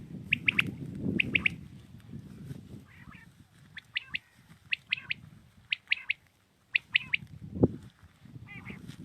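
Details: Common quail singing in the early morning in Pakistan: crisp three-note phrases, sharp and quick, repeated about every second or two in short bursts, with low rumbling background noise and a brief thump near the end.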